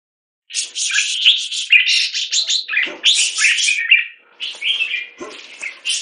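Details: Red-whiskered bulbul, a caged bird raised in Singapore and in molt, gives harsh, scratchy chattering bursts mixed with clearer whistled notes, running almost without pause after a short silent start.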